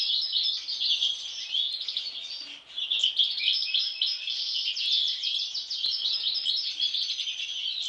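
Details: Sibling European goldfinch delivering a long, unbroken stream of rapid, tinkling twitters and rattling trills, with a dense mix of high chips throughout.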